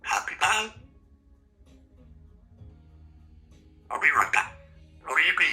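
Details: A female Congo African grey parrot, a talkative pet at home, talks in short human-like word bursts: two quick syllables, a three-second pause, then two more clipped phrases over a faint room hum.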